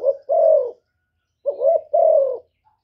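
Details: Two low, husky coo phrases from a spotted dove, calling to provoke males, each a clipped opening note and a longer drawn coo, with a short pause between phrases.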